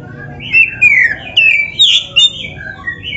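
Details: Black-breasted Oriental magpie-robin song for training other birds: a short chain of sweet, drawn-out whistles sliding downward, one rising high note near the middle, then softer trailing phrases.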